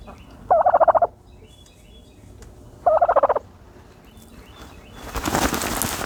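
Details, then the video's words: Turkey in a dirt bath gobbling twice, each a short rolling burst of throaty pulses about two seconds apart, followed by a loud rushing scuffle of noise. "the special noises of a turkey bathing in dirt"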